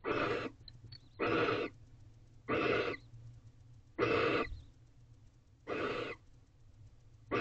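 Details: Barn owl family at a nest box, the male visiting his newly hatched first owlet at 5:07 am, 4 April 2023; six harsh breathy hisses spaced roughly every 1.3 seconds, with near silence between.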